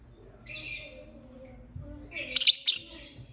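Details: Lovebird chirping, a short buzzy high chatter, then a pause, then a louder burst of sharp, scratchy notes repeated in quick succession.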